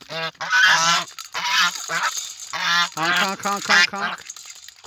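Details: Domestic geese coming over to the farmer and honking by a shallow mud-puddle pond on a farm, September morning at 8 AM; harsh, nasal honks in bursts of several overlapping calls, pauses between volleys.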